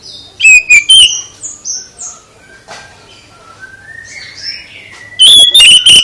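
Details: Song of the oriental magpie-robin, played to draw an answer from another kacer: sharp loud notes, a run of quieter high and descending whistles, then a final cluster of harsh, ringing bursts.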